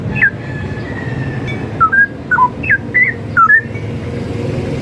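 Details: Straw-headed bulbul (cucak rowo) singing, used as a masteran recording for training other songbirds: a few short, clear whistled notes, some slurred downward, others rising, in a loose series over a steady low rumbling background hum.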